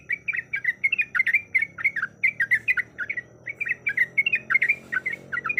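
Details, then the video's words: Yellow-vented bulbul, a female in breeding condition summoning a male, chattering in quick phrases of bright, squawky chip notes with a short pause midway, then resuming at full pace. Soft low background hum. "Suara Ropelan Trucuk Gacor Yang Ngotot Memanggil Lawan"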